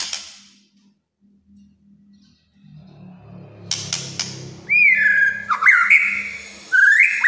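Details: White-rumped shama: low background hum and a few clicks, then loud clear whistles rising and stepping with sliding notes, ending in a rising whistled slur.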